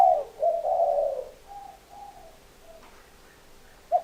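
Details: Spotted dove cooing: a drawn-out, low, hollow coo followed by softer, fading coo notes and a short final note, in a quiet setting.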